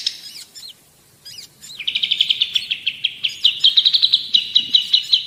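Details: Long-tailed shrike song for bird tutoring: a few scattered high chirps and a short gap, then a steady run of clipped, whistled notes repeated about two to three times a second at an even pitch.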